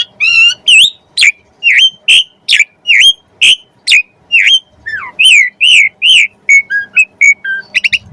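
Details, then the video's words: Asian pied starling 'gacor' song used to coax other starlings into singing: a steady series of loud, whistled up-slurred notes, about two each second, with a falling slur and a quick high flourish near the end. "Jalak Suren Gacor Full Isian Pancingan Burung Jalak Agar Cepat Gacor"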